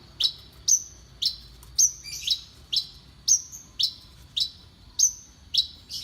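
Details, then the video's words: Champion-grade Horsfield's bush lark singing brisk, bright whistles that slide downward, nearly two each second and very regular, with one brief burst of scratchy notes. "KICAUAn Burung BRANJANGAN STELAN JUARA!!!"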